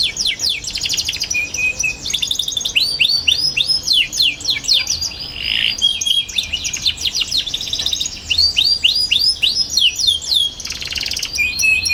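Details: Young canary in continuous lively song, meant to train other young canaries: fast rattling trills, buzzy phrases and repeated bright whistled sweeps with almost no pause for twelve seconds.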